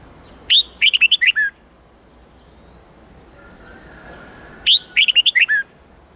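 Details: Red-whiskered bulbul with a wild-standard 8-9-10 note song, used to teach young birds. Two rapid phrases of about six clear, whistled, up-and-down notes are separated by a four-second pause over faint background hiss.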